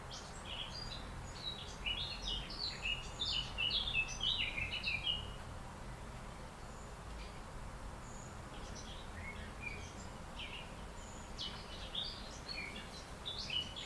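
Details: Myna feeding in the early morning, giving bursts of bright, chirpy, scratchy notes in quick runs, pausing, then resuming more sparsely, over steady low background hum.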